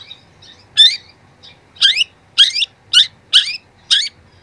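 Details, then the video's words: Young long-tailed shrike, recording meant to train young birds: soft high twittering, then six loud harsh chattering notes with falling buzzy tails, spaced about half a second apart. "masteran cendet muda"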